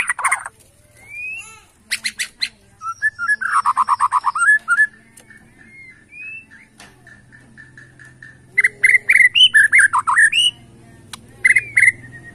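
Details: Bornean white-rumped shama singing in the 'sujud' bowing style to provoke rivals: a rich mix of buzzy rattles, a long steady whistle, pulsed trills and sharp rising chirps.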